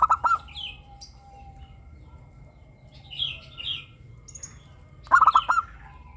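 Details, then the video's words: Local zebra dove singing in the 'crystal' voice style, played as a lure to prompt captive doves to sing: two quick bursts of clipped cooing notes several seconds apart, with higher chirps from another bird between them. "perkutut lokal gacor suara kristal - pancingan perkutut agar bunyi"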